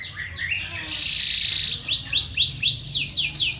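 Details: Singing canary offered as a lure for silent canaries: brief descending notes, a dense buzzy trill, then a quick sequence of rising whistled chirps and downslurred notes.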